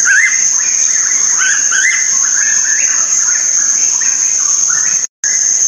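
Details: Green magpie song: a busy run of short whistled notes, slurred up and down, strung together in quick phrases, set against a loud, unbroken high-pitched insect drone and one brief dropout near the end.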